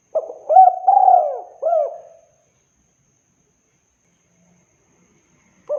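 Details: Clean spotted dove coo for luring wild doves: a brief soft note followed by rounded, rolling coos ending on a falling one, a long silence, then the next phrase starting.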